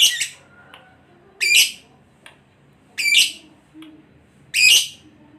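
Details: Lovebird, for daily training of pet birds: harsh, rasping, broad squawks each lasting a fraction of a second, repeated roughly every one and a half seconds with quiet gaps between.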